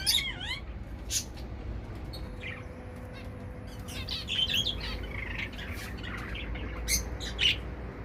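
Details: Zebra finches in a mixed balcony aviary in a Dubai flat give short, nasal, high chirps and buzzy notes in scattered bursts, several birds calling while flying about over a steady low background hum.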